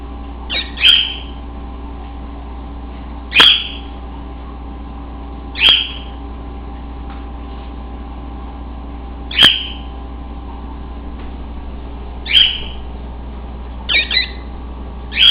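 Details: A half-feathered cockatiel whistle-singing: short, bright chirping whistles repeated every two to three seconds over a low indoor hum.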